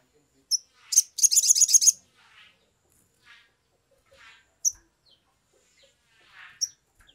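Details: Sumatran leafbird singing, used as a lure recording to make other birds sing quickly: sharp high chips and a dense buzzy burst of rapid harmonic notes, followed by softer scattered twitters and brief high notes.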